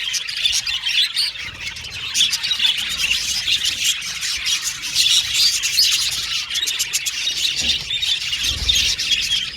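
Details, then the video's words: A group of budgies chirping while playing and calling to each other; steady overlapping twittering and raspy warbles with sharp clicks, holding a fairly even loudness throughout. "Budgies Chirping Sound"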